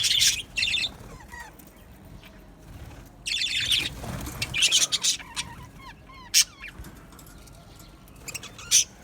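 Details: Budgerigars in an aviary give scattered bursts of scratchy chatter separated by quieter gaps, with several thin, short whistled notes sliding downward between the bursts.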